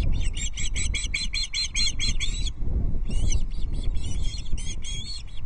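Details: Osprey chicks at a Loch Arkaig nest on a livestream camera, 14 June 2024, at feeding time as a whole smallish trout is brought. A rapid run of sharp, high chirps stops briefly, then resumes, over steady low wind rumble.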